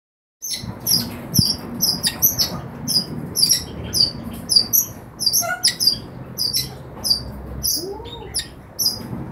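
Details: Red-rumped parrots, colour mutations including a lutino orange male and rubino orange female, caged indoors; repeated short high chirps and whistles in bursts roughly every half second, with faint low background noise.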